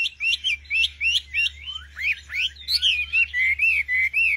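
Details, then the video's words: A common nightingale sings a quick run of varied, slurred whistles, about three notes a second, ending in longer, steadier whistled notes, over a low hum. "Singing nightingale. amazing bird song"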